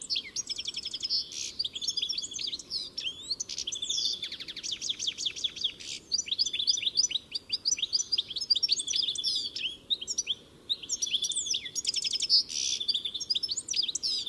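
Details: Lengthy, energetic European goldfinch song: dense, chattering, tinkling phrases with quick trills and buzzy notes, pouring out almost without pause across the whole stretch.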